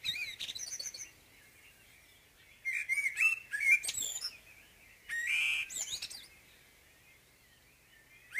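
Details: Morning song of a common blackbird: bursts of mellow whistled warbling mixed with sharp, high squeaky twitters, delivered in separate phrases with short silences.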